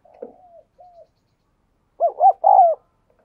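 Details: Spotted dove kept as a lure to excite males, giving a soft faint coo, then a pause, then a louder rapid double note run into a drawn-out falling coo.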